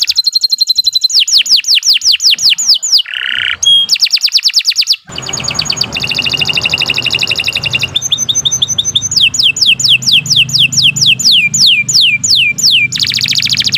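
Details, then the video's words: Extended canary song for teaching young birds, alternating bright rolling trills, a low harsh buzz, and long runs of rapid descending whistles, with faint background hiss in the middle. "Kicau Burung Kenari II GACOR PANJANG Cocok untuk Masteran"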